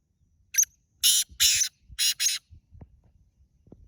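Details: Black francolin giving a grating call: one short sharp note, then four rasping broadband bursts in quick succession over about a second and a half. Soft low knocks and thuds trail off afterwards.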